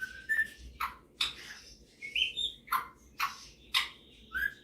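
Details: A male pet Superb parrot shows off his singing and mimicking with sharp chirps and short whistled notes, each a rising or falling slur, spaced about half a second apart.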